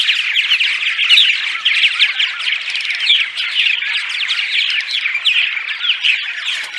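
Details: Purple martin; dawn song; attracting martins to nest sites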